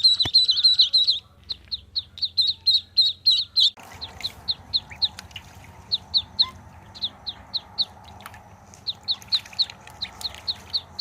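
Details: Duckling giving fast high peeps, loud at first then steadier and softer, repeated about three times a second over background hiss and low hum.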